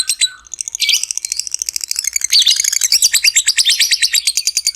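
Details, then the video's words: Long ngekek chatter from a lovebird, meant to rouse other lovebirds: a short harsh note, then a rapid, high, buzzy stream of pulses that speeds up and runs on without pause. "SUARA BURUNG LOVEBIRD NGEKEK PANJANG"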